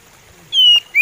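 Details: Oriental magpie robin singing slowly: after quiet, a single long clear whistle gently falling in pitch, then the start of another rising whistle.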